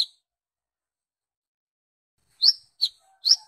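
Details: Brown-throated sunbird lure call meant to summon others of its kind: one sharp high chirp, a long silence, then three quick high notes with falling sweeps near the end.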